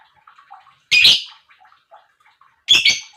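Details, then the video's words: Lovebird chirping meant to get other lovebirds singing: two strong, buzzy, rasping chirps less than two seconds apart, with quiet, muttered chatter between them. "Lovebird Chirping Sounds"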